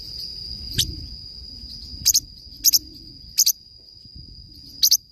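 A parrotlet gives five sharp, high, doubled chirps about a second apart, over a steady high-pitched ringing hum.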